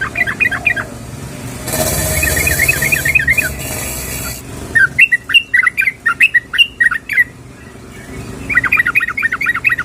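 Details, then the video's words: Female yellow-vented bulbul calling for the male. It gives repeated bursts of chirpy, warbling notes, partly covered for a few seconds by a loud rushing hiss, then clear bubbly phrases return. "SUARA BURUNG TRUCUKAN BETINA MEMANGGIL JANTAN"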